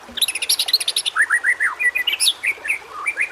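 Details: Murai batu, the white-rumped shama, in constant contest-style song used to spur quiet birds: a burst of high, rapid chirps gives way to sweet, wavering whistles rising and falling in quick succession.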